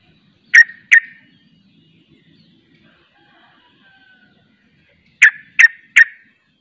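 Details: Trucuk, or sooty-headed bulbul, in 'ropel' song with other bulbuls following: two crisp notes, a pause of about four seconds with faint chirps, then three more quick sharp notes.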